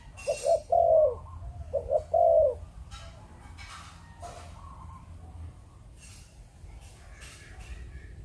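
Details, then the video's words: Spotted dove of Malaysian breeding stock, kept by Vietnamese dove hobbyists, giving the 'chụp chụp ô' coo: two low, mellow coo phrases, each a short double note then a longer drawn-out note, followed by quiet clicks and faint rustles. "Chim Cu Gáy | Chụp Chụp Ô"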